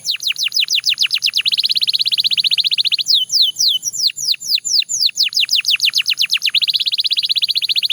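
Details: Belgian canary in continuous song, alternating fast chopped trills of downward sweeps with slower, spaced descending whistled notes, closing with another rapid, rolling trill.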